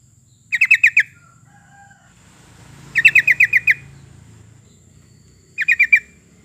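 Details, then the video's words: Sooty-headed bulbul song used as a lure to prompt other birds into singing, three quick bursts of five to seven rapid, chirpy repeated notes, with a low rumbling noise between phrases. "kicau burung trucukan"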